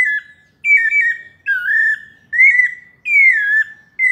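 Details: Pale-breasted thrush (sabiá-parda, paulista type) in melodious song, clear slurred whistled phrases each under a second long, repeated at an even pace with short pauses. No other sounds are heard.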